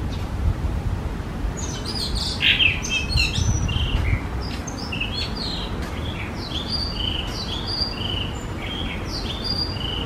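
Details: Blue rock thrush (Monticola solitarius), one of a pair carrying food to nestlings, sings short, clear, fluting whistles and slurred notes, busiest in the first four seconds, over a steady low rumble of wind or distant traffic.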